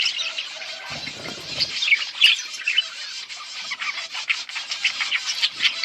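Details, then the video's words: Several budgies on August 15, 2024 keep up a continuous high, scratchy warbling chatter, studded with quick sharp chirps and clicks. A short low rustle comes around the first second. "Budgies sound for lonely birds birds chirping sounds"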